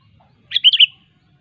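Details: Sooty-headed bulbul in natural surroundings, sharp song used to call rivals: one short bright phrase of three quick bubbling whistled notes lasting under half a second, clean and clear.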